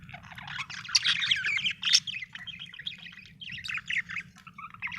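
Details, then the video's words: Continuous cheerful warbling from a happy budgerigar, an Australian bird: tumbling, scratchy high chirps and twitters run almost without pause, rising and falling in loudness over a low background hum. "happy budgie chirping sound"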